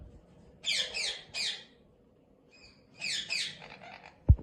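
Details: Captive blue male Indian ringneck parakeet guarding his nest box. Two bursts of harsh, raspy squawks, two or three notes each, separated by a quiet gap with faint thin notes. A sharp knock ends the recording.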